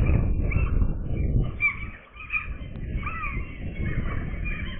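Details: On fledging day, young gulls keep up a busy chorus of thin wavering squeals and short mewing notes, overlapping at a fast pace, set against strong low-pitched wind rumble.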